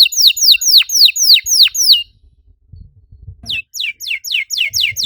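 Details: Canary song used as a lure to stimulate other canaries to sing: a rapid series of bright, downward-sweeping whistled notes, about four per second, then a short pause with faint low thumps, then a faster run of similar slurred notes.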